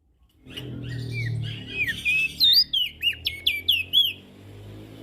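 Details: Ashy prinia calls used as a lure for small birds: after a low murmur, a run of sharp, high chirped notes and quick rising-falling whistles, repeated rapidly in the second half.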